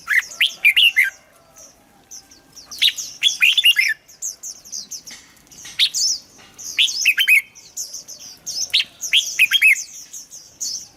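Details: Red-whiskered bulbul song played to make birds sing: lively bursts of slurred whistles and chattering notes in bouts every few seconds, with dense high twittering from other birds.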